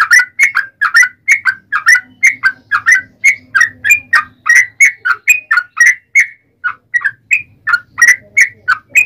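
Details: Yellow-vented bulbul (trucukan) giving a fighting song meant to provoke other bulbuls into answering: a steady stream of bubbly, gurgling whistled notes, about three per second, each slurring up and down, with faint low rumble beneath.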